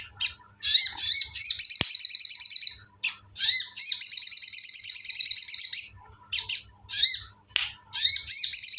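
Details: A sooty-headed bulbul imitates ciblek with repeated long, dense, high rattling trills, each lasting one to three seconds, broken by short chirps and a single sharp click.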